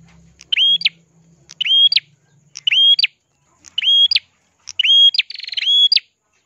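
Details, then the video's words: Ashy prinia giving persistent, crystal-clear song, intended for teaching other cage songbirds: five loud ringing phrases of a level whistled note bracketed by quick upward flicks, about one per second, the last with a rapid buzzy trill; faint low hum. "burung prenjak kelawu gacor suara kristal cocok untuk masteran"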